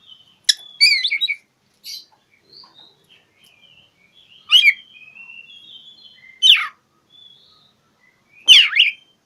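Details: Singing Oriental magpie-robin seeking a rival: a fast trilled phrase, soft whistled warbles, then three loud harsh down-slurred notes spaced a few seconds apart.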